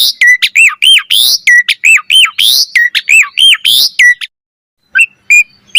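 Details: Asian pied starling song meant to train other starlings: quick repeated arched chirps and harsh squawks for four seconds, then a pause and a few soft single notes.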